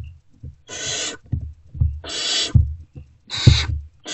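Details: Unfed Great Horned Owl owlets in a nest box react to an adult's return, 3 March 2024 around 5:31–5:40 am: three harsh hissing rasps over heavy low thuds and shuffling.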